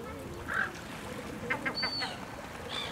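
A lesser black-backed gull gives a brief harsh call, then a few short clipped notes. A thin high whistle and steady background noise are also heard.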